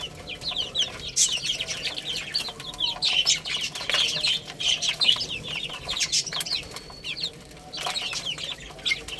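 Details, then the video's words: Baby chickens playing and eating give many overlapping high, short, downslurred chirping peeps in a continuous busy chorus, with soft rustling and scratching beneath. "Cute Little Chicks Chirping Sounds| Baby Chicken Playing and Eating"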